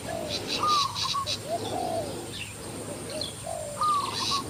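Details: Caged decoy Spotted Dove calling to lure a wild spotted dove that came over from another decoy, two birds present; soft arched coos in short phrases, a thin high whistle from another bird, and pulsing insect chirrs behind.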